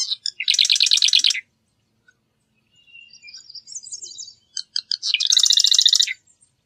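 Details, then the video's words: Marsh wren song: two dense, buzzy rattling trills about a second long, each led by a few short clicks, with softer scratchy notes between them. "Marsh Wren Song! Marsh Wren Call!"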